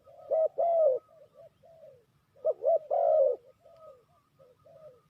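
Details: Spotted dove in a trapping setup as lure, two loud phrases of a short double note plus long coo, with softer cooing from another dove filling the gaps between them.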